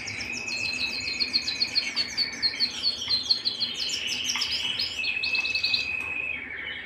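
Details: Canary singing at home: rapid high repeated chirps over a steady low rolling trill, the chirps returning in bursts as the trill continues.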